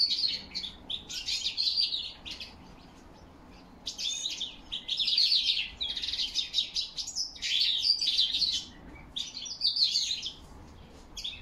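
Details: Singing European goldfinch in autumn, October 2021, with crested lark whistles around: bright twittering phrases of about one second, broken by short pauses, each a dense jumble of high tinkling and buzzy notes.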